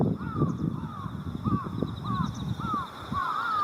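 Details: Crows of two species, Jungle Crow and Carrion Crow, gathering on countryside wires at dusk in early October, Japan, calling back and forth: six or so rasping downcurved caws in quick succession over insect hum and low rumble.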